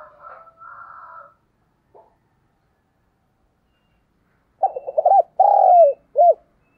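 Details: Spotted dove decoy coo for attracting wild doves. A faint, hazy sound is heard first, then after a pause comes one loud phrase of quick rising notes, a long coo falling away and a crisp last note.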